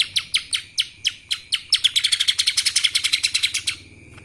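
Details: Lesser green leafbird (cucak ijo mini) singing in the kapas tembak style: sharp, high, down-slurred chip notes, first spaced about a quarter-second apart, then speeding into a rapid ringing run before stopping abruptly.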